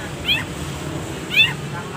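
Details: Long-tailed shrike, a recording for training caged birds, with song set full of pauses: two short, harsh, arched notes about a second apart over a low steady background hum.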